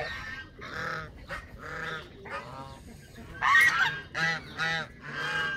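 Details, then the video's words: Canada geese uttering a string of separate resonant honks, roughly one per second, becoming louder and more rapid in the second half. "وز كندي"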